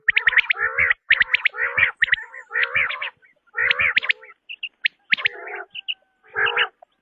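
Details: Quail calling as a hunters' lure: clusters of rapid high chirps over harsher, throaty bursts, broken by brief silences, with a few isolated short notes later.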